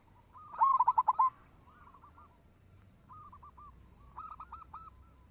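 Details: A local zebra dove gives a lure song: one loud run of six or seven rapid, bubbling coo notes, then quieter answering coo series a few seconds later.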